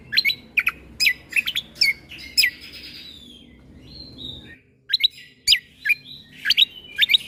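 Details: Greater green leafbird song used as a tutor recording for young white-rumped shamas, full of sharp 'tembakan' shot-like notes: bursts of sharp whistled notes sweeping down, a two-second pause, then more rapid sharp notes.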